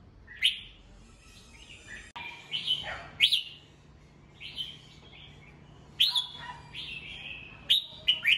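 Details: Morning song of a caged red-whiskered bulbul, played to train and rouse young birds; loud, clear whistled phrases with sharp rising-falling notes repeat in short bursts roughly every one to two seconds, with a faint low hum.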